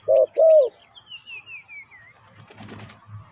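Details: Spotted dove trapping lure call: two loud low coos, a short then a longer one, followed by a descending whistled series from another bird and low rustling.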